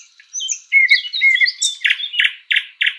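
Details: Sprosser in a spring woodland delivering a varied phrase: twittering high notes and slurred whistles, then four loud, evenly spaced harsh chock notes.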